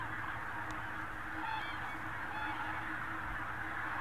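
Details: Far-off common cranes near Berlin, Germany, on 24 October 2015, give faint, rolling trumpeted calls, a few notes scattered through the clip, over a steady rushing wind-like roar.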